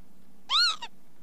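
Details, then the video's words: Northern lapwing giving one slurred, nasal note that arches up and then down, followed by a short, fainter tail note, against a low, steady hum. "ontspannen kievit geluid"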